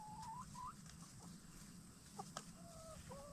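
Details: Black Star and Bielefelder hens in a movable chicken tractor at night after a day free-ranging; drawn-out, slightly rising whining notes alternate with a couple of short clucks over steady low hum.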